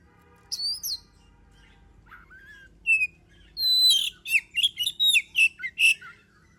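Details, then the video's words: Oriental magpie-robin singing to goad other birds into song: scattered whistled notes and a slurred call, then an accelerating string of buzzy, chattering notes, loud and close. "Suara burung kacer gacor paling ampuh buat pancingan"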